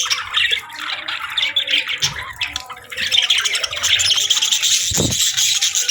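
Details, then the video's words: Morning budgie chatter: busy, scratchy twittering and squeaks from several birds, steady throughout and growing slightly louder in the second half, with a single low thud about five seconds in. "Soothing Budgie Chirping Sounds"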